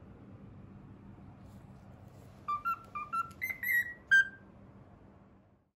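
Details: Morning whistling of the Pythagoras Switch theme by a pet cockatiel: after quiet room hum, a burst of short clean whistled notes stepping upward, ending on a longer held whistle.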